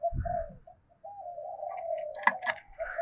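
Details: Spotted dove, a decoy-style voice of the 'thổ sấm' type, cooing to provoke wild doves: a low hummed coo drawn out steadily, with soft thumps and a brief sharp clatter near the end.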